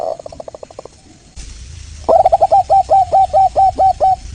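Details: Indonesian local zebra dove, Geopelia striata, sung as a lure for other birds to answer: faint quick pulsing at first, then a loud, clear string of about ten evenly spaced, rolling coo notes.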